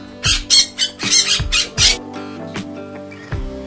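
A parrot gives five harsh, raspy squawks in quick succession, then falls quiet, over a steady background of music.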